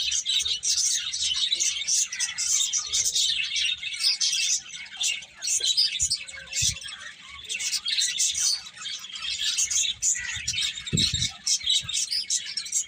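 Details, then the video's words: Sustained bird chatter: many birds give rapid high chirps and trills in an unbroken wash, with occasional low taps and thumps. "Cute Birds Chirping Sounds"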